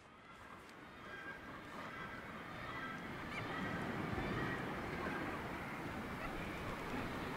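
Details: A Northern gannet colony at Syltefjordstauran, a steep cliff on the north-east coast of Varanger, Norway, one of the world's northernmost gannet colonies, fills the air with a steady din of harsh, grating calls from many birds over rushing wind or surf.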